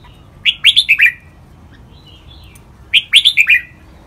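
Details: Crisp red-whiskered bulbul training song in the len rik, boen and lak wai styles: two matching phrases of five lilting whistled notes each, about two and a half seconds apart, with a soft note between them.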